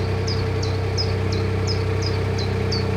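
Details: A Common Chiffchaff beside the Coventry canal gives insistent high, sharp, down-slurred chirps, likened to a demented police siren, about three each second, over the steady low drone of a narrowboat engine; other birds then respond.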